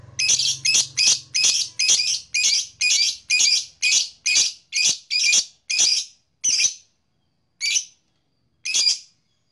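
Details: Blue black-masked lovebird uttering a rhythmic run of loud, harsh chirps about two a second, slowing and spacing out toward the end, with a brief low hum at first.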